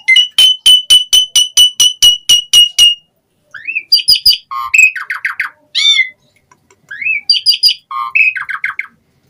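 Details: Asian pied starling singing in lively 'gacor full isian' style: a fast run of about a dozen sharp clicking notes over a steady whistled tone, then a break and a jumble of rising whistles, buzzy chatters and squeaky notes.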